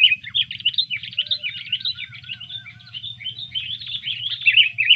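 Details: Sooty-headed bulbul in fighting mood after being disturbed pours out a continuous chattering, bubbly warble of fast slurred notes, with a soft lower whistled series beneath and a steady low hum.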